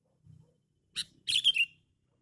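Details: Sooty-headed bulbul, described as loud and highly vocal, recorded for luring. A short click leads into a quick, bubbly phrase of three or four bright slurred notes, the last dropping in pitch, over faint low rumble.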